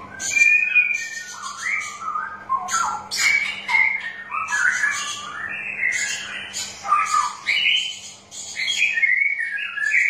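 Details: {'caption': 'Lure recording of straw-headed bulbul song for birds that will not sing: ten seconds of loud, continuous bubbling warbles, rapid rising and falling whistled notes with brief breaks and crisp high chirps overlaid.'}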